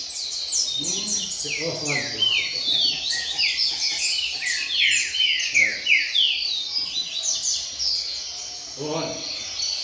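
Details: Double-collared seedeaters in a group singing contest among friends, song style called canto fibra; several birds overlap in rapid, high, sharply descending whistled notes and chattering trills, with people's voices breaking in at times.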